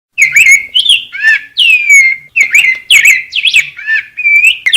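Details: Rose-breasted grosbeak singing: a continuous run of loud, sweet whistled notes, each slurring down or up and down, some with burry buzzy edges, close and clear with no other sounds.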